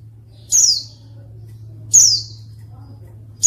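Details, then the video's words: Female white-eye call meant to lure males that are slow to sing: sharp, high descending chirps, roughly one every 1.4 seconds, with a steady low background hum. "pleci betina untuk pancingan pleci malas bunyi"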